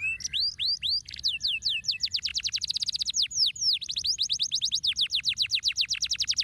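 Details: Canary song described as stimulating: rapid series of bright, high, downward-sweeping notes, trilled at about four per second and shifting into faster rolling phrases, continuous and loud throughout.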